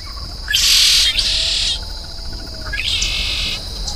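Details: Red-shouldered blackbird of Cuba singing: a short rising note leading into a loud harsh buzzy burst, then a second slightly softer buzz, with a steady high thin whine in the background.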